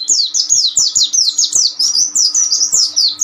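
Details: Oriental white-eye training song, ombyokan type, for raw young birds: bright, high slurred chirps repeated about two or three per second in a lively, even chatter.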